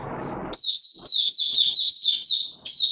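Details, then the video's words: White-eye in a cage, being brought into form on 31 December 2021, launching its buka sing: one sustained run of sharp, high, trilling warble lasting about two seconds, preceded by low noise. "Mata Puteh - Raja V2 Pushing him on form buka sing"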